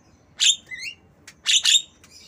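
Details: Tame Javan myna imitating a lovebird, used as a training sound for mynas and lovebirds; two bursts of harsh, high chirps with squeaky falling notes between them, each burst about a quarter second long, against a quiet background.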